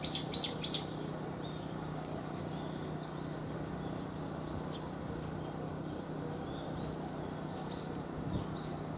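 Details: A large, nearly pigeon-sized brown-eared bulbul in Japan gives three loud, harsh, shrill squeals in the first second, then fainter high chirps over a steady low hum.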